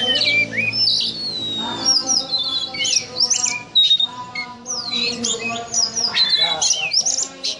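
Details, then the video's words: Oriental magpie-robin (kacer) kept as a cage bird, singing in the cobra-like ngobra style: loud, varied, high whistled slurs and sweeping notes mixed with harsh squawking bursts and short chattering runs, delivered in quick successive phrases. "Video Kacer Ngobra Seperti Ular"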